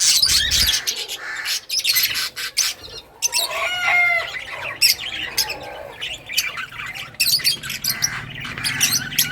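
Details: Lovebirds in various colours giving scratchy chirps and squawks, with a clearer descending whistled series in the middle over a low hum.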